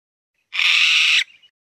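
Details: A single harsh, buzzy squawk from a Mountain bamboo partridge, followed by a faint trailing note.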